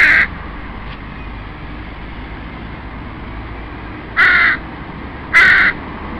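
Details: Young crows pestering their parents for food in the family breeding territory: a harsh caw at the start, a long quiet gap, then two more grating caws about a second apart near the end.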